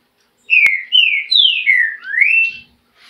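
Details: Green-winged saltator (trinca-ferro) singing a run of loud, clear whistled phrases, each sliding downward, then a final upswept note, delivered in about two seconds; a sharp click near the start.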